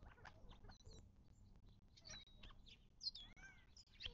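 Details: Mixed birdsong at a Mojave Desert watering hole near Joshua Tree, southern California, March 2024: scattered thin chirps and quick rising whistles, about one a second, brighter notes near the end, faint rumble beneath.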